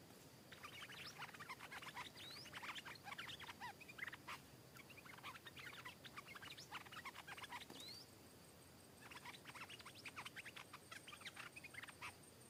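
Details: Stripe-throated bulbul, a wild bird that came in answering and aggressively attacking a caged rival, pouring out rapid runs of quick, varied warbling notes with brief rising whistles and a short pause midway.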